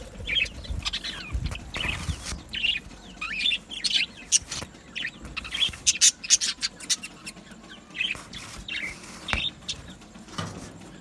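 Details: Budgerigars in an aviary colony, a flock of Australian parakeets singing and chirping: dense, continuous chattering warbles with short sharp chirps and squeaky notes overlapping throughout, bursts rising and falling in loudness.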